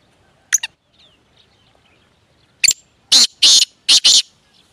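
Grey francolin giving loud, harsh, high-pitched notes: a quick pair first, then a burst of four or five shrill, grating calls in rapid succession.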